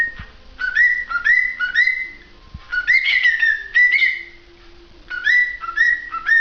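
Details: Singing cockatiel gives rapid runs of short rising whistles, repeated as melodic phrases with a brief harsher burst in the middle. Faint low hum in the background.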